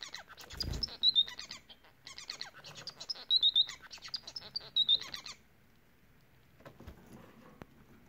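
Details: Bengalese finch song: a fast chattering run of dry buzzy clicks ending in thin high whistles, repeated in three phrases, then near silence with a faint rustle.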